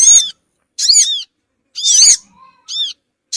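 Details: Bird-luring call of the Sogon for attracting small wild birds: piercing high chirps with arched, descending overtones, repeated roughly every 0.8 seconds, with a brief faint whistle in a gap.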